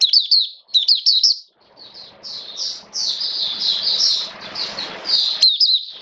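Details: Hobbyist's caged Oriental white-eye, recorded in wet rainy weather on 29 September 2022, opens with quick high twitters, pauses, then pours out a sustained soft, high warbling passage.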